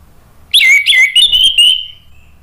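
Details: Loud ngeplong song from an orange-headed thrush. After a quiet start comes one rich whistled phrase: a sharp high opening, a few quick slurred notes, then a long tapering whistle.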